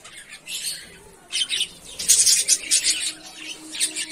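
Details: Australian parrot giving scratchy high chattering calls in uneven bursts, loudest in the middle, with short squawky notes near the end.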